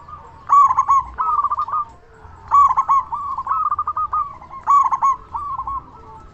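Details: Local zebra dove, prized for its big voice, calling as a lure so other doves reply and to lift stressed birds' spirits. Three rolling coo phrases with sharp accented notes follow one another about every two seconds.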